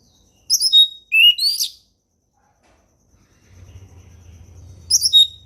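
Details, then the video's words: Orange-headed thrush singing in the ngeplong style as a lure for learning birds: two short phrases of high squeaky whistles and a rising sweep, a low hum in the background, then a final brief phrase. "SUARA HUTAN ANIS MERAH NGEPLONG SANTAI"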